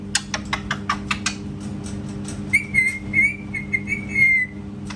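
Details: Parrot calling indoors and making cat-like sounds: about ten crisp clicks in quick succession, then a steady, slightly warbling whistle broken into short pulses for two seconds.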